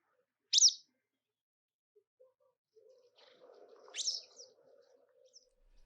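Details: Common whitethroat copies a yellow wagtail's sharp, high 'tsweep', an excerpt from a longer, fast mimicry verse, answered 3.5 seconds later by a real wagtail call; a low hum sits between them.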